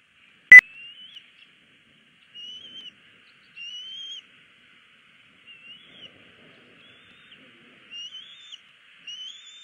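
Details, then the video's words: Bald eagle chick on a Southwest Florida nest cam, 20 February 2016, begging for food for over an hour while ignored by its parents, with part of a fish nearby. Thin, high, slightly rising whistled pleas repeat about every second, after one sharp click. "SWFL Eagles ~ E8s Pleas Ignored"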